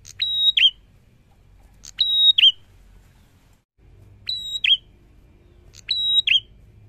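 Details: Prinia singing four phrases, with a longer gap midway. Each is a sustained, high, pure whistle capped by a brief, lower, twisting note, over faint low background hum.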